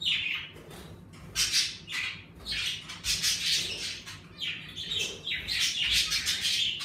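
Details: Several pet budgerigars in a home bird room chatter continuously, harsh buzzy squawks and warbled chirps overlapping in dense bursts throughout, active with the warmer weather.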